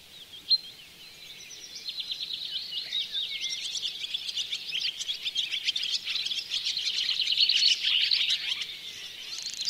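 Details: Barn swallow chatter at Oostvaardersplassen bird hide, September 2016, Panasonic Lumix GH4 recording; a single sharp click, then steadily swelling high twittering and squeaky warbles over a faint low background hiss.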